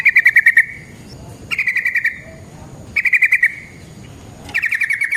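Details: Lure song of the yellow-vented bulbul, or trucukan, in ropel style: four crisp rapid pulsed rattles, each lasting under a second, spaced about every second and a half over a quiet background.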